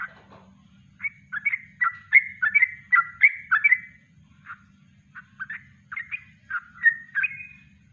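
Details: Yellow-vented bulbul singing a natural kongslet-style song, used as a master recording for training birds: bubbly, gurgling two-to-three-note phrases, a busy run of rapid notes, then more spaced warbles after a short pause, with a low hum underneath.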